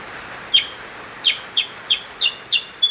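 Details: Percang bird singing vigorously: a short run of bright, high chirps, some doubled, ending on a brief level whistle, over a hiss of background noise.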